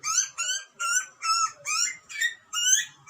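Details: Cute baby butcherbird screaming for food, Australia, wild: six even, harmonic squeals, each slightly rising, repeated about every half second.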